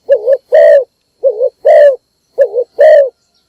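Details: Morning lure call of a decoy spotted dove: three evenly spaced coo phrases, each a wobbling low note followed by a sustained, deeper coo.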